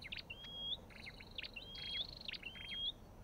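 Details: Three quick phrases from an Olive-backed tailorbird, each a crisp chirp cluster then a clear, thin whistle that climbs at the end, over soft background noise.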